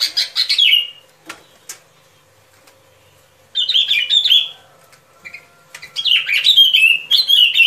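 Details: Sooty-headed bulbul singing, recorded as trapping bait: three bursts of quick, bubbly descending whistles, separated by pauses of about two seconds, the last burst longer and more chattering.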